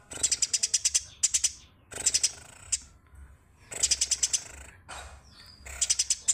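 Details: Eurasian tree sparrow song prized by songbird keepers as vocal training material: rapid rattling runs of eight or so bright, high-pitched chirps, repeated in bursts with brief quiet gaps and one softer trailing note.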